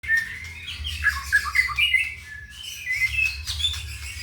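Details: White-rumped shama with a leg ring and a 31 cm tail, from Pituruh, Purworejo, Indonesia, sings a rich, varied run of whistled and chattering phrases that slide up and down, over a steady low hum.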